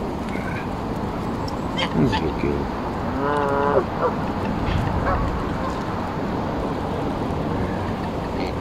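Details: Embden geese petted and fed at Longton Park, Stoke on Trent, in July: a single drawn-out, harmonic-rich nasal honk lasting about half a second, with brief clicks and low rumbling background around it.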